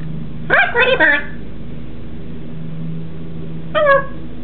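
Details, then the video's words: A blue-and-gold macaw, prompted to greet the yard workers mowing outside, gives a raspy, speech-like two-part "hello", then a shorter rising call about three seconds later, over a steady low hum. "blue and gold macaw say hello to the lawn boys"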